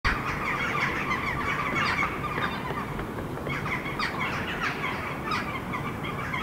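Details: A dense roosting chorus of Eurasian jackdaws (Corvus monedula) in big park willows, Helsinki, Finland, October: short sharp 'tchack' calls overlapping continuously from many birds, over steady low distant traffic rumble.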